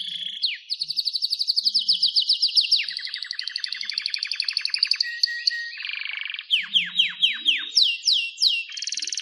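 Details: Canary song in a continuous run of fast repeated trills, sweeping high rolls that shift down to a lower buzzy series, then a row of loud descending whistled slurs and a final high trill.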